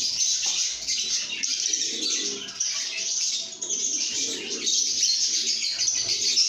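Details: Happy lovebirds chatter and sing in a good mood, their high, piercing chirps forming a steady wall of sound with softer low warbling notes beneath.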